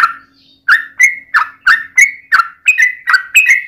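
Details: Yellow-vented bulbul giving fighting song meant to provoke other bulbuls to answer: after a short pause, a string of about nine liquid, warbled notes, rising slightly in pitch toward the end.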